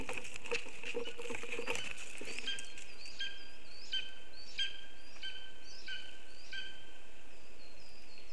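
A lesser spotted eagle gives short, high yelping notes, repeated about every two-thirds of a second. Rustling opens the passage, over a steady low rumble.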